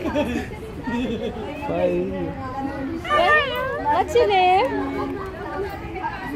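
An umbrella cockatoo chatters in speech-like phrases, with a burst of wavering, rising-and-falling vocal warbles midway, amid background murmur that sounds like voices.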